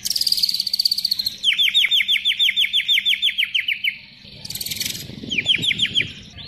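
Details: White-rumped shama performing a fill song of copied sounds, used as a training recording: a long string of rapid identical downslurred notes, followed after a short gap by a shorter repeated burst of the same note.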